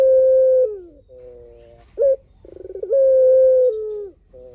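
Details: Lively spotted dove calling as a lure to get other doves to respond: a long steady coo falling at the end, a softer coo, a short sharp note, a rapid stuttering roll, then another long even coo.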